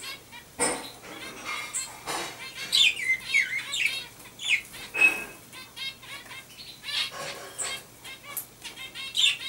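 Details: A Common chaffinch, recorded 15 October 2012, gives short high chirps and brief down-slurred notes among loud wing flutters and rustling clicks.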